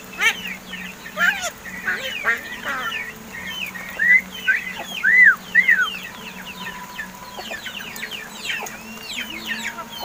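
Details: Hand-raised crested mynas (Martinez birds), over seven months old and beginning to speak; clear arched whistles and bent tonal notes mixed with scratchy chatter, overlapping calls from several birds, and a low background drone.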